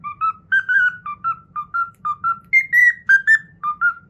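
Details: Learned Pythagora Switch theme whistled by a cockatiel: a brisk, evenly paced string of paired whistled notes with a higher stretch midway, over constant low-pitched background noise.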